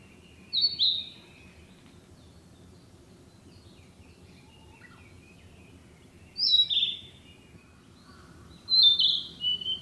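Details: Narcissus flycatcher, a summer visitor that breeds locally, singing in woodland: three separate high, clear whistled phrases with short warbled notes, spaced a few seconds apart, over a low steady background hum.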